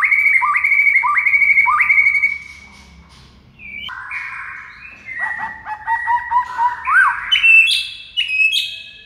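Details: Master training song of a White-rumped shama meant to make silent shamas respond: three loud repeated rich whistles, a pause, then a varied run of warbled, rising and dropping notes.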